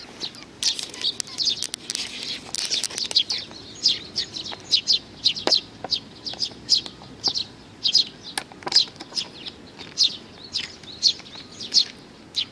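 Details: Sparrows crowding in to be fed on 15 May 2019 call in a continuous stream of sharp, high chirps roughly every half second, with faint flutters and scuffles mixed in.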